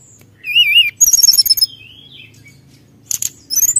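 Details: Brown-chested jungle flycatcher singing vigorously to provoke rivals: a wavering quavered whistle, a rapid string of ringing high notes, soft descending slurs, then short harsh bursts and a rising whistle.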